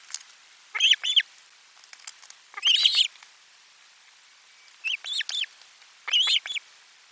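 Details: Osprey calling at the nest as fish arrives for lunch, 12 July 2022. Four separate bursts of two or three piercing, down-curving whistles, spaced roughly every one to two seconds, with faint clicks between.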